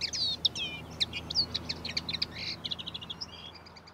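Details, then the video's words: Common linnet singing in a backyard: a fast twittering run of varied high chirps and short whistled slurs that ends in a quick, even series of dry clipped notes, over a quiet background. "Linnet sings"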